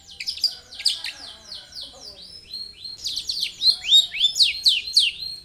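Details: Long-tailed shrike song used as a lure to prompt other birds to sing: rapid run of high sharp chirps and downslurred notes, a brief pause, then louder descending whistled slurs repeated quickly.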